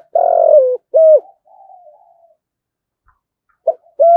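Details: A spotted dove coos continuously in a challenge and coo sequence used to lure wild doves: low, hollow coos in short bursts, one long note then shorter clipped ones, a soft trailing murmur, then cooing again.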